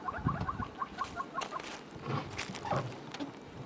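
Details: A hornbill in the bush on a sunrise morning safari drive, 14 August 2016, gives a quick run of hollow, clucking notes, about five a second, that fade into wind rustling through the trees.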